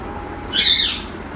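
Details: A tame, talking pet male Indian ringneck (rose-ringed parakeet), being scolded indoors after biting, gives one harsh, raspy, half-second screech that rises and falls; faint room noise before and after.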